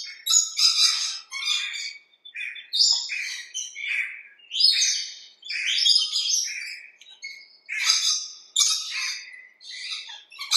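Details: Rainbow lorikeets in a backyard give harsh, grating screeches in dense bursts, several overlapping, with brief gaps roughly every second or two.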